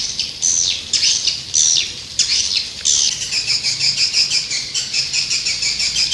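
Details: Swiftlet calls: a run of high, buzzy chirps and twitters in dense overlapping bursts, turning into rapid, evenly pulsed trills in the second half.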